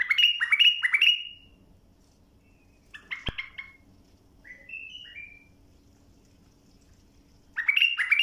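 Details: Bulbul song meant for tutoring young birds: a run of three descending whistled notes, then a pause, a sharp click, a few soft slurred whistles, and another loud whistled burst at the end.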